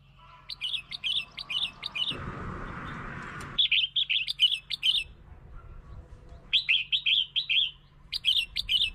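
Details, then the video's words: Red-whiskered bulbul luring and provoking song: repeated fast phrases of rich, bouncing whistled notes, with a short burst of broad rustling noise partway through. "เสียง (ยั่ว) นกกรงหัวจุก เสียงนกกรงหัวจุกล่อนก กระตุ้นนกกรงหัวจุก"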